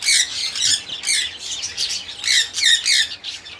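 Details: Cockatiels at a breeding farm, visited on 20 April 2024: harsh, grating squawks in bursts of rough, screechy notes, with loud calls near the start, middle and end over steady bird chatter in the background.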